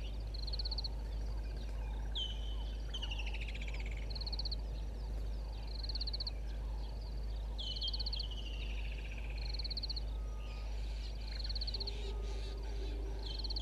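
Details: Pied kingfisher giving sharp, high twittering chirps and short descending trills every second or two over a low rumble. Recorded at 05:11 on 12/18/21 by the waterhole camera at Gowrie dam, Djuma Game Reserve, Sabi Sand Wildtuin, South Africa.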